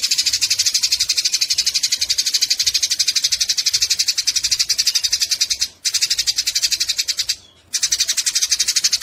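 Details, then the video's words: Eurasian tree sparrows squabbling, giving a continuous scratchy high-pitched chatter of even pulses, roughly four a second, broken by two short silences. "Masteran burung gereja tarung"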